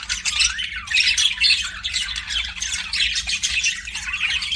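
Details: Busy budgie chatter: overlapping raspy squawks and rapid warbled chirps run nonstop, loud and bright, from what sounds like a group of pet parakeets.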